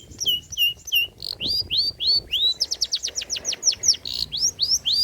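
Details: A long-tailed shrike delivers lavish, old-style mimicry material, recorded as a lure and tutor for pentet trotol. High, upward-sweeping whistled notes follow one another rapidly in a varied, lively series.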